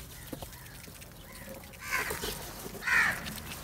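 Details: Crows gathering and fighting for food; two harsh, ragged caws about a second apart near the end, following a quieter stretch of faint background noise.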